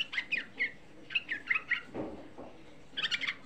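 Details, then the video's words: A young sooty-headed bulbul gives a lure song to rouse other bulbuls. Sharp chirped notes come singly and in pairs, with a low rustle in the middle and a closing burst of chatter. "Suara Pancingan Trucuk Muda Ampuh Menaikkan EMOSI, Suara Trucuk Muda Bikin Semua trucukan EMOSI"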